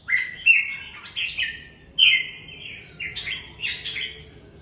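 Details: Red-whiskered bulbul song made of clear whistled, slurred phrases, each about a second long, given four times in quick succession with brief pauses between, against a quiet background.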